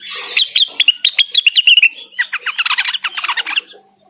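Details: Cucak wilis in full song calling out a rival, opening with a hiss, then a fast series of crisp whistled notes, followed by a denser burst of harsher, scratchy chattering notes that fade out.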